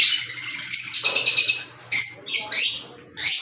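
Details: Green Fischer's lovebirds kept as pets: a run of shrill twittering, then separate sharp, upward-sweeping squeaks with brief quiet gaps between them.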